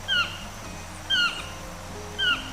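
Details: A yellow-throated toucan (Ramphastos ambiguus) in Costa Rica gives three loud, yelping, downslurred notes about a second apart, over a faint steady hum and soft background music.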